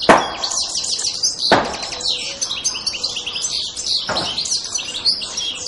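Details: European goldfinch calling: dense tinkling, twittering chatter, broken by a few sharp broadband knocks or thumps.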